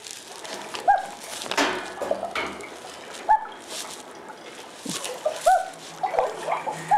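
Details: Common Loon giving its hoot, a really soft call: short single mellow notes about two seconds apart, played in a quiet indoor room.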